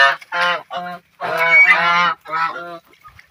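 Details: Geese honking while playing in water: quick clipped honks, then one long, loud blaring call, and a last short honk.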